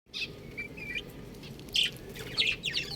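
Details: Chicks, described as buff chicks, chirping in a small group: short high peeping notes in bursts, louder clusters near the end, over steady low background hum.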